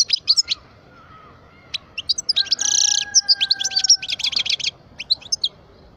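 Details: Twelve-year-old European goldfinch of the parva type singing: quick bright twittering notes, a burst of buzzy rasping near the middle, then rapid chirps, with two faint steady whistled tones running underneath.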